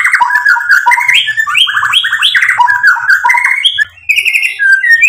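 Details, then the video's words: White-rumped shama (murai batu) song for provoking and exciting birds: a continuous varied stream of rich whistled phrases and stuttering trills, a brief dip, then high clear notes. "PANCINGAN MURAI BATU biar EMOSI NYAUT jadi GACOR BONGKAR MATERI ISIAN | SHAMA BIRD"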